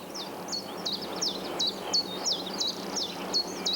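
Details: Common chiffchaff (Phylloscopus collybita) singing in the British countryside: a steady run of sharp two-note chips, about three per second, alternating higher and lower, over a soft hiss. The song separates it from the similar-looking willow warbler.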